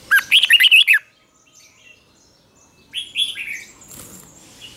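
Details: Red-whiskered bulbul in morning song training, giving the fighting song used to spur wild-caught birds: a rapid burst of seven loud, warbled whistles, then quiet, followed by a few softer sliding whistles and light rustling.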